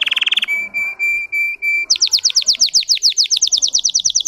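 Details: A Russian singing canary moves from a brief buzzy trill into four drawn-out flat whistled notes, then a quick series of sharp falling chips repeated several times a second.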